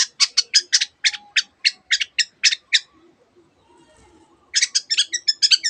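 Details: Long-tailed shrike (cendet) in lively song filled with mimicked canary phrases and imitations of many other birds; a run of about eleven harsh, rapid chattering notes, a short pause, then a quicker burst of sharp notes.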